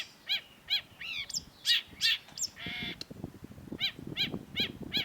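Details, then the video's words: Long-tailed shrike song used as a master for cage-bird training: sharp harmonic notes, a few slurred whistles and a buzzy note, then evenly spaced ringing notes about every half second over background rumble. "cendet gacor MASTERAN CENDET SUARA TAJAM || Long-tailed Shrike"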